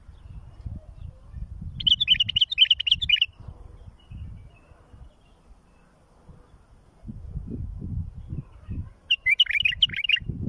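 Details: A bulbul sings for tutoring and fledging chicks. A chattering warbled phrase lasts over a second, and a similar phrase returns about seven seconds later, with a low murmuring rumble in between.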